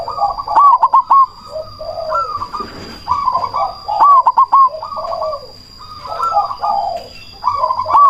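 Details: Cemani zebra dove, a loud, frequently calling bird used as a lure to provoke rivals to answer and raise breeding drive: repeated trilled, bubbling coos in phrases with short gaps and a steady high whine behind them.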